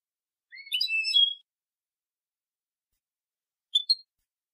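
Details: European goldfinch, copia malaga song, tutor recording edited for young birds: one rising slur opening a jangling, metallic twitter lasting under a second, then quiet, then a single high double chirp.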